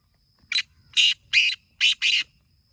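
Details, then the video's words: A black francolin in a village area in the morning gives one rasping phrase of five harsh, scratchy notes, the last two run close together, over a quiet background. "Original Black Teetar Sound"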